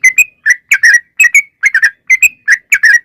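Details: Sooty-headed bulbul lure song, described as a female calling a male: short bursts of two to four bright whistled notes, some with a rising upslur, separated by brief pauses, on a clean silent background.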